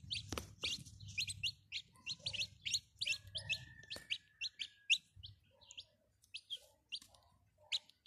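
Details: Domestic chicken chicks peeping: many thin, high, short chirps tumbling over one another in an irregular stream, with a low rumbling hum beneath.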